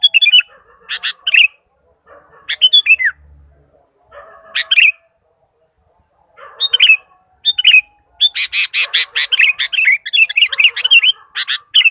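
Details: Sooty-headed bulbul, lively and vocal, calling to other bulbuls: bursts of short bright chirpy notes in quick phrases separated by brief pauses, building to a dense run of rapid chattering notes toward the end.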